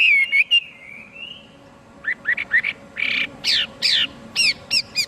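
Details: Chinese hwamei singing: a long sliding whistle wavering near one pitch, then a run of short, bright, rising notes that grow louder and end in quick, sharp upslurs.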